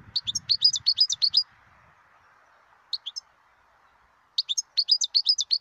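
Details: European goldfinch, a wild bird, recorded in 2020, giving a rapid liquid twittering phrase of many high notes, a pause with two brief chirps, then another fast tinkling run; faint low rumble early on.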